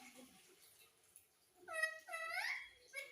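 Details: A pet ringneck parrot gives two or three short, voice-like calls that slide up and down in pitch and sound close to chatty speech, in a quiet room.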